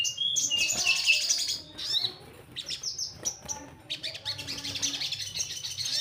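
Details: Orange-headed thrush song played to encourage young birds to sing: busy high warbling with sharp whistles and a rapid stream of overlapping notes, fading to softer twittering, with a faint low hum.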